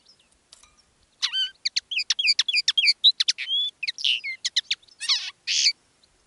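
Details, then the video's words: Common linnet kept as a decoy bird, one of two singing live in different styles: a rapid twittering run of short chirps, slurred whistles and buzzy rasping notes packed together, pausing briefly before a final burst. "Canto del Pardillo"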